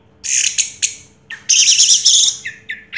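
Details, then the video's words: Orange-headed thrush, a 2022 first-place contest-winning songbird, producing loud harsh buzzy rattles and bright high chatter in two long bursts, ending with short whistled notes; faint low hum behind. "Suara Burung Anis Merah Juara Pertama Tahun 2022"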